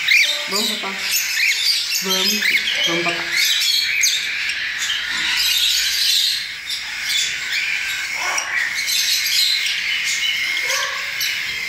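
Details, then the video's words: Recently fledged cockatiel chicks begging while hand-fed porridge, 10 ml three times daily; a loud unbroken harsh hiss of begging, with a few short chirps early on and quieter stretches later. "Alimentando os filhotes de calopsitas - Papinha"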